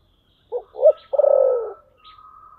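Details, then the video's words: Spotted dove calling in the voice style known locally as "thổ sấm": two short hoarse coos followed by a long, rolling, slightly falling coo, with a faint thin tone trailing afterwards. "cu gáy giọng thổ sấm"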